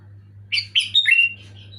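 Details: Sooty-headed bulbul gives a single loud, clear bubbling phrase of three or four fluty whistled notes, the last drawn out, over a low steady hum.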